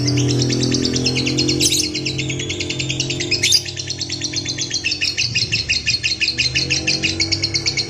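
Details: Lovebird ngekek panjang, a long, continuous trill used to train and provoke other lovebirds. A rapid, buzzy rattle runs unbroken for about eight seconds, slightly pulsing toward the end, over a steady low hum.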